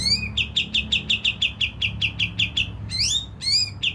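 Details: Olive-winged bulbul singing as a lure to provoke rivals into calling: a rapid, steady string of short clipped notes, about four per second, broken near the end by upward-sweeping whistles before the notes resume, with a faint low rumble beneath.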